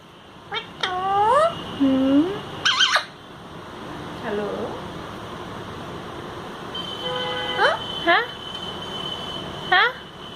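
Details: Talking parrot speaking Hindi indoors; several separate utterances of rising, voice-like harmonic syllables, some squeaky and nasal, spaced with pauses, over a steady background hum.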